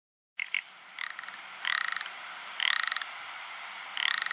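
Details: Ptarmigan giving a series of harsh, pulsed, rattling croaks, each burst lasting about half a second and repeated roughly once a second after two short opening notes, against a steady hiss of wind.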